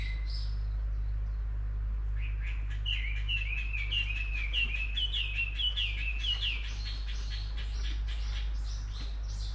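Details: A bird sings a lively run of rapid, slurred chirps and twittering notes at high pitch for about seven seconds. A steady low hum runs underneath throughout.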